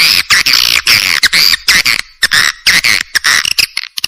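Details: Swiftlet calling sound used to attract swiftlets, assembled from several clear swiftlet recordings; dense bursts of harsh, buzzy twittering chirps in rapid irregular succession with brief gaps.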